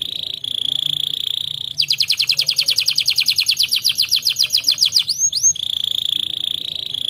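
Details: Canary song: a sustained high whistled tone gives way to a fast rattling trill of sharply repeated notes, two quick sweeping slurs, then the steady whistle returns; faint low background hum.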